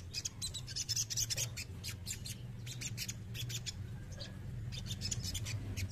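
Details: A male crested jay makes harsh, scratchy rattles in dense bursts, a loud cluster at the start and more spaced clicks later, set against a low droning hum.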